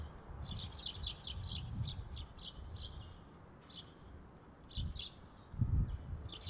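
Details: Sparrows feeding in a tree on 25 February 2019, recorded with a tripod and external mic: bright, short chirps in quick overlapping bursts, pausing near four seconds, then resuming, over a steady low rumble.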